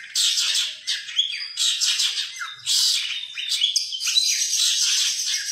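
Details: Long-tailed shrike, a caged competition bird from 2020 used as song material for training other songbirds and known for copying other species; dense high chattering and twittering phrases in bursts with short gaps, a few slurred whistles between.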